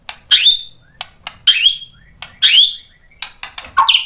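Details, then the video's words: White-rumped shama stirred into singing. Sharp ticks alternate with bright downslurred whistles, and a scratchy flourish closes the clip. "PANCINGAN MURAI BATU BIKIN EMOSI JADI NYAUT GACOR BONGKAR MATERI ISIAN | SHAMA BIRD"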